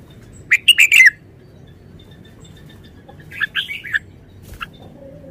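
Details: Caged red-whiskered bulbul delivering a short-style song: a quick burst of bright, warbled whistled notes, a pause of about two seconds, then a second rolling warbled phrase and a lone final note over a quiet background.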